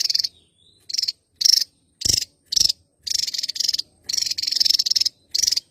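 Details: A Javan tesia, a bird endemic to Java, sings actively in bursts of rapid, high, buzzy chattering notes, each under a second long, repeating about once a second with brief pauses.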